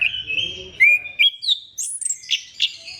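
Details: Orange-headed thrush singing to prompt other thrushes into song, drawn-out clear whistles giving way to sharp high chips and upward-swept notes, with a soft low rumble at the start.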